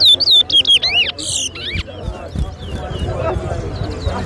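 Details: Large-billed seed finch, locally towa towa, at a bird whistling competition on Lamaha Street, Georgetown, Guyana; loud clear whistled notes sweep down and up in quick phrases for about a second and a half, then crowd chatter and other distant birds.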